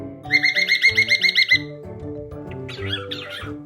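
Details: A pet male cockatiel gives a quick run of about ten harsh, gull-like notes, the "seagull noise" he makes every time he hides behind a guitar, then a few warbled squeaks, over soft background music.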